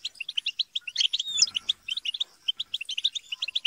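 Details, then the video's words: Kept European goldfinches chattering together to prompt singing: evenly spaced bright chip notes in quick runs, a brief slurred whistle and harsher buzz near the middle. "بتبتة وتستسة وشجار الحسون - اقوى بتبتة جماعية لتحفيز الحسون على التغريد"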